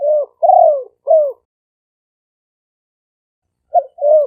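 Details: Spotted dove decoy song, live-recorded with noise cut in Roi Et province, Thailand, Malay and lively strains: three mellow coos with a long middle note, a pause of over two seconds, then two more coos begin.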